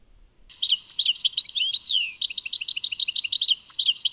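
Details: European goldfinch song, Tadmait: after a short silence, continuous tinkling twitter with quick slurred chirps, a long downward slur, then rapidly repeated clipped notes.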